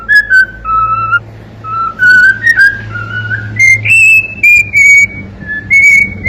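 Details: Whistling song from a cockatiel: a run of pure, sustained notes that climb step by step in pitch, with bright overtones and brief gaps; quiet indoor hum in the background.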